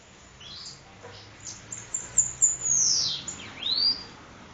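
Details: Bananaquit (sibite) from Parnamirim, Rio Grande do Norte, singing the 'endemoniado' song style: thin, very high sibilant notes, several sharp rising and falling sweeps and a hissing descending slur near the end.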